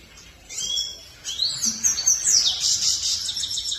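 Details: Grey-crowned goldfinch song: high twittering with slurred rising and falling whistles, then a dense, buzzy, fast-chattering trill running to the end.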